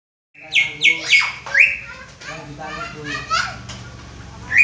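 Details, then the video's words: Greater green leafbird learning to sing the "Om Telolet Om" bus-horn tune: a few loud, flat, stepped whistled notes falling from high to mid pitch, then softer, rougher chatter and faint voices in the background. "Cucak ijo belajar berkicau "Om Telolet Om""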